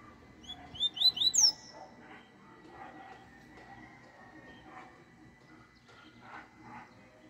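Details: Yellow-bellied seedeater singing a short, loud phrase of quick, high whistled notes that sweep upward, about six notes in a second. Softer, lower muffled bursts of another sound follow afterwards.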